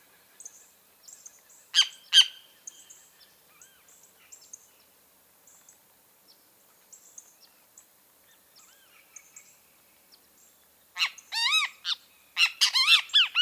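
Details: Great kiskadee (Pitangus sulphuratus): a long quiet stretch with scattered faint high chirps and two sharp notes, then a burst of loud, rapid, arched nasal notes over the last two seconds.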